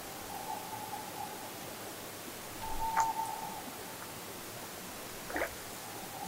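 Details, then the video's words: At least two tawny owls, probably quite far away in woods across a lake in Knapdale, Scotland, give faint, long, steady low-mid hoots echoing over the water, with soft knocks and quiet hiss. "There's at least 2 tawny owls calling in the woods on the other side of the lake, and probably quite far away actually."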